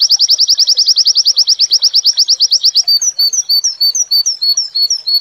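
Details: White-eye singing 'wit wit' linked to shrill, close-packed mantenan phrases: nearly three seconds of rapid repeated high piercing notes, shifting into a slower series of thin, slurred whistled notes.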